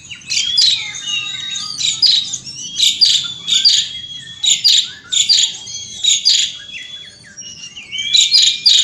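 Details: An Asian pied starling outdoors sings in nonstop rolling 'gacor ngeroll' style, loud buzzy chattering bursts recurring about every half second, each laced with whistled slurs and lower warbling notes.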